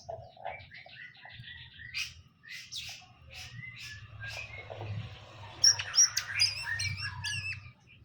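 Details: Greater green leafbird, a caged male and female being paired; busy mix of short chirps, buzzy notes and sharp high whistles running almost without pause, growing louder and richer toward the end.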